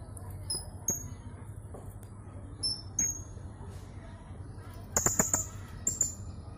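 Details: Caged blue-crowned hanging parrot from Jungkat, West Kalimantan, entered in an online singing contest: scattered thin, very high squeaky notes, some slurred downward, with a steady low hum and a few clicks underneath.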